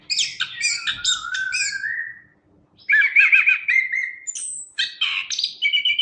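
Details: Energetic Chestnut-capped thrush song used to tutor kept birds: rapid chattering notes sliding into a long falling whistle, a pause, then warbled phrases, a very high thin whistle and more quick twittering.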